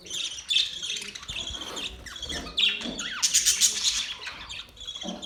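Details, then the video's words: Budgerigars singing in the mating season: a dense, scratchy warble of high chirps and squawks, loudest in bursts around the middle and end, with a few brief downward-sliding notes. "Budgies singing | Budgies mating sounds | Budgies chirping sounds"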